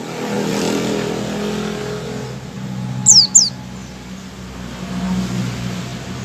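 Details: White-eye ngecal call, the opening sound before full song: two quick, high, downward-sliding notes in close succession, set against a steady low mechanical-sounding hum.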